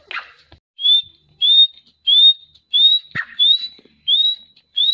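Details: Repeated high whistles from a grey francolin, each note short and rising then levelling off, delivered at a steady pace of roughly one and a half per second, with one brief rasping chirp among them.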